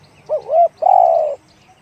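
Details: Deep one-kook style coo of a spotted dove. A short doubled, wavering note is followed by one drawn-out, even coo that sinks slightly at the end. Little else is audible.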